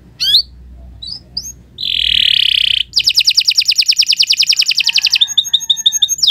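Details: Canary song used as a training model for other birds: a few short chirps, then a loud buzzy rattle, followed by a fast even trill of rapid notes and a series of quick bright pips.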